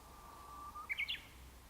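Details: Japanese bush warbler: a steady low whistle held for most of a second, then a quick, loud, rising and twisting high flourish, with a quiet background.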